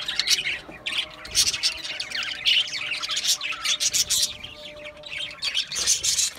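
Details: Budgies keep up busy high warbling and chirping in quick bursts, overlapping squeaks throughout, with a faint steady low hum in the background.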